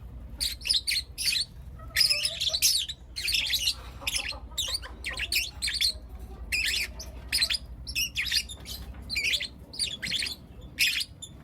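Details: Lutino lovebirds, four young birds, chirping in the morning: dense bursts of harsh, buzzy chirps and squawks repeated in rapid series throughout, with brief gaps between bursts and a low background hum.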